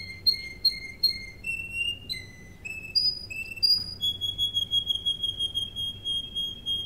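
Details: Russian canary song for training birds: repeated short whistled notes stepping up in pitch, then a long sustained pure whistled tone, quiet background.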